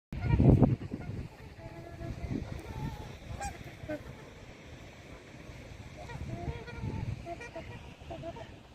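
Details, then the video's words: Swans on a lake full of birds in Canada on an evening, while a child feeds them, give scattered nasal, trumpeting, horn-like honks, a few at a time, over a steady low rumble after a loud thump at the start. "White swans making trumpeting sound"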